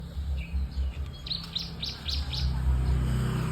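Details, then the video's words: White-rumped shama giving a quick run of short, sharp chirped notes, each a rapid downward flick, about five in under two seconds, over a constant low engine-like hum. "Murai batu"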